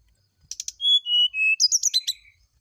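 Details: Morning fluting song of a brown-chested jungle flycatcher, meant to elicit an answer: short clicks lead into three falling whistles, then a quick jumble of high chirping notes.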